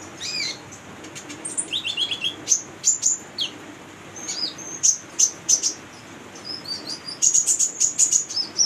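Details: Chattering female olive-backed sunbird, kept as a lure for young birds; a varied sequence of high twitters, short descending whistles and fast bursts of sharp repeated notes.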